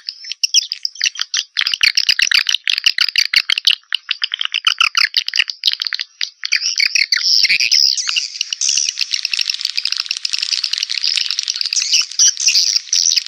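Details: Swiftlet calling sound, 2021, for drawing swiftlets in: rapid clicking rattles and chirps at first, merging into a continuous shrill buzzy twittering wash.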